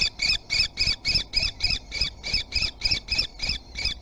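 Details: Common kestrel at Théding on 3 July 2020, filmed while chasing food. About thirteen sharp, rasping calls come in a steady, even rhythm over four seconds, with a low rumble underneath.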